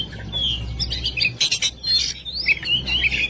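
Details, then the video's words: Oriental magpie-robin singing over a steady low hum: drawn-out whistled glides mixed with harsher, scratchy notes and short chirps. "Masteran burung Kacer/Klacer gacor dor nembak durasi panjang"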